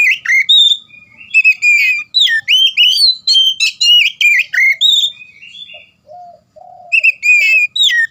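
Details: Oriental magpie-robin in continuous song: a long run of rapid, varied whistles and sharp upslurred notes, several per second, with a brief soft lower whistle before the song restarts.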